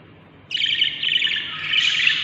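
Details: Nest of seven Budgerigar chicks on breeding day 38; after half a second of near quiet, a continuous rasping, hissy chorus of begging calls begins and swells toward the end.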